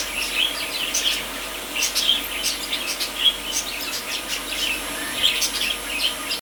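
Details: Pink Rosy Bourke's parakeets (Neopsephotus bourkii) bathing give soft, high, overlapping chirps and twittering notes with no steady rhythm, over faint background hiss.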